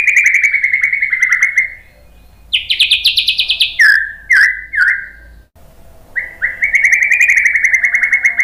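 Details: White-rumped shama lure song to stir other birds into singing: a whistled trill, a fast buzzy series, several slurred notes, a short pause, then the trill resumes.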